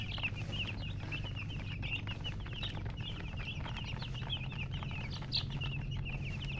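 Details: High, piping chirps from several baby chickens stream on continuously, with a sharper louder peep late in the passage and a low drone underneath.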